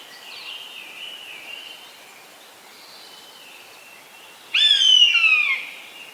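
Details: Eastern buzzard, a hawk known for hovering over fields. It gives one strong, descending, mewing cry near the end, after faint, hoarse sounds earlier on. The setting is quiet and outdoors.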